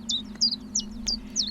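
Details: Common chiffchaff, a partial migrant, sings high, sharp, downslurred notes alternating between two or three pitches on an uneven, hopping rhythm, over a steady low hum.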